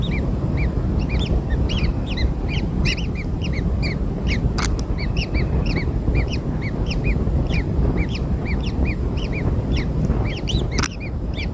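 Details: Kingfisher newborns fed black insects give a dense series of short high arched chirps, often overlapping in rapid bursts, with a few sharp clicks over constant low-pitched background noise.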